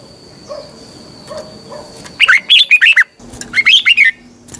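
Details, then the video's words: A red-whiskered bulbul gives lively morning song used as a training lure for caged birds: two rapid bursts of five or so warbled, up-and-down whistles, preceded by soft low chirps and followed by a faint hum. "Luyện chào mào hót sáng, hót hay - Giọng kép xoắn tít"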